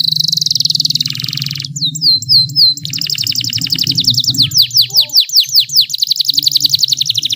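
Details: Canary singing to coax reluctant singers: a high rapid trill, clipped whistled notes, then rhythmic downward sweeps and trills over a steady low hum.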